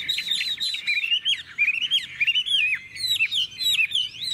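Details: Caged Chinese hwamei from Vietnam, a half-tamed bird said to sing long phrases in a wild forest voice. Rapid rich whistling with looping upward and downward slurs in a dense, unbroken stream.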